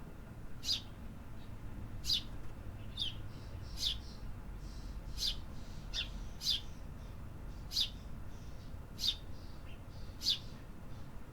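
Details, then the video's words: Urban songbirds chirping: about ten high, short notes over eleven seconds at uneven intervals, accompanied by a steady low background rumble. "Urban Birds Sound Effects"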